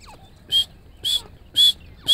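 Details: Female grey francolin calling in Pakistan, giving four short, sharp, high calls, one roughly every half second, over a quiet background.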